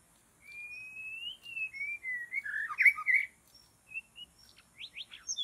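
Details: White-rumped shama singing in forest where birds are being trapped: a long, clear, slightly rising whistle, then a run of short slurred whistles and a burst of rich warbling. Sharp upward chips follow, with brief high notes between phrases.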